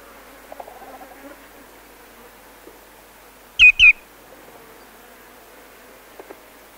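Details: Common greenshank alarm calls, possibly also flight calls, as the bird flies in: two loud, ringing 'tew' notes in quick succession, with a faint background murmur and a few soft ticks.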